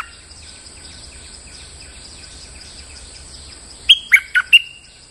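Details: Bulbul lure sound: after a long stretch of faint background hiss, a single fast phrase of four sharp, bright chirps ends on a short sustained whistle.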